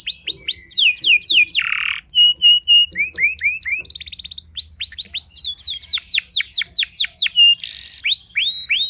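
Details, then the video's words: Canary gacor song aimed at rival canaries: varied phrases of looping whistles, short harsh buzzes, steady flat chirp series and rapid trills, all high and loud. "merdunya kicau burung kenari yang membuat galau kenari lain"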